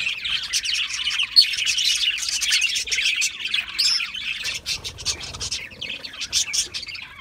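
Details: Budgerigars chirp and warble busily, with sharp tweets and grating notes, the flock chatter easing slightly toward the end.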